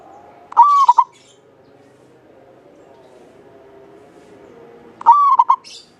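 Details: A local Javanese zebra dove, kept as a lure bird for its long, clear voice, gives two clear, mellow cooing phrases about four seconds apart, each a held note followed by quick staccato beats, over a faint low murmur.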